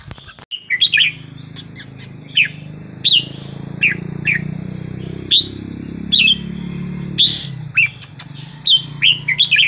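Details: Wild-style song of a red-whiskered bulbul, its phrasing praised as beautiful. Rapid clear whistled phrases repeat about every second over a constant low rumbling background noise.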